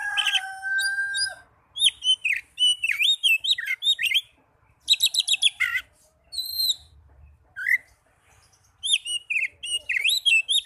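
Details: Oriental magpie-robin (kacer) song used as therapy to get young birds or birds that have stopped singing to sing. It opens with long steady whistles, then loud bursts of varied chirps, buzzy trills and sweeping whistles, separated by short pauses.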